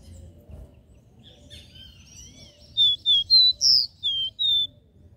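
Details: Faint, jumbled chirps lead into a crisp phrase of six whistled notes from a capped seedeater singing its three-note regional 'Dó Ré Mi' song, one note pitched noticeably higher.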